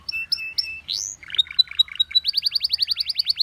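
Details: Canary singing to prompt other canaries to chirp: three short whistled notes, a rising sweep, a run of buzzy clipped notes, then a fast series of sharply descending chirps, quick and regular.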